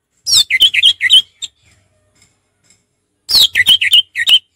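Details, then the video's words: Two matching bursts of quick whistled notes from an orange-headed thrush in relaxed 'ngeplong' song, each opening with a high falling slur, then bouncy mid-pitched notes; quiet pause between. "Terapi ampuh Anis merah ngeplong santai"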